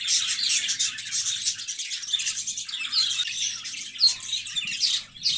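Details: High, scratchy chirps and warbles from budgerigars run nearly continuously, a chattering flock sound with small peaks and a faint low hum in the background.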